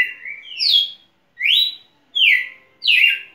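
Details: A champion red-cowled cardinal sings four clear, rich whistled phrases, each a quick rising or slurred note, spaced under a second apart, with no other sounds.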